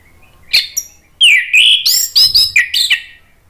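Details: Orange-headed thrush song meant to make rivals answer: a lone high note, then loud, varied looping whistles and rapid slurred phrases with abrupt pitch swoops, tumbling over one another.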